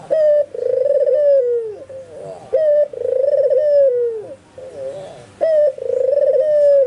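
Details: Albino white Barbary dove in full voice while spotted and zebra doves around it reportedly answer; repeated short sharp coos each followed by a long trilling coo dropping in pitch, with soft wavering coos filling the gaps.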